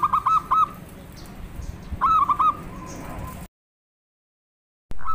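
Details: A local zebra dove, recorded as a lure sound, sings quick bursts of soft, rolling coos, the phrases repeating every couple of seconds.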